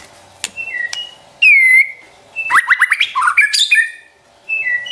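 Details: Champion white-rumped shama delivering trotol song: a clear descending whistle, a loud pure note, then a fast stuttering climb of short notes and twittering, ending with a paired whistle over light hum.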